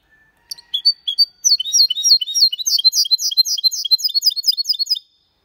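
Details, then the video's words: Malaga-style singing by a goldfinch × canary hybrid, clean and without errors: a soft whistled start, then scattered chirps leading into a long, fast, even train of bright, sweeping notes that ends sharply. "Mixto de Jilguero Cantando Limpio"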